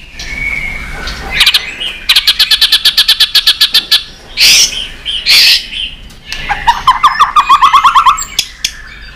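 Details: A white-rumped shama in competition song of many voices. A whistled note opens into a long train of rapid, evenly spaced chips, followed by harsh noisy bursts and a quick descending warbled series.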